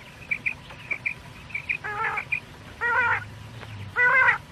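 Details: Quail calling for night use: soft short chirps followed by three longer, loud, nasal harmonic calls spaced about a second apart, with faint low hum beneath.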